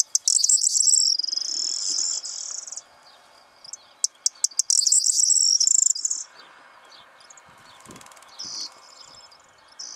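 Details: A Corn bunting excited by breeding sings near a hide in the morning: two bursts of high, glassy jangling song, the second led in by a few accelerating clicks, over a faint steady background hiss.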